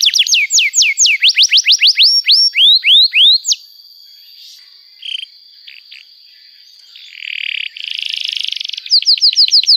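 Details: Canary singing to encourage young birds to learn: a fast series of loud falling whistled notes, a pause with faint buzzing, then a rattling roll and more swooping whistles.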